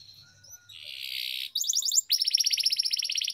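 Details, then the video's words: Lively canary song with long rolls, used to train young canaries: a soft buzzy hiss swells, then a clipped rapid trill, then a long, evenly pulsed high roll. "Canary Singing Training, Kenari Gacor Ngerol Panjang,Terapi Kenari Macet, Masteran Kenari Paud"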